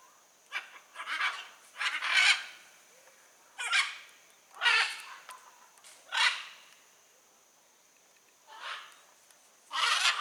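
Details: In the wild, a blue-and-yellow macaw squawks repeatedly: rough, rasping shrieks roughly every two to three seconds, some doubled, then a longer silence before a final loud screech.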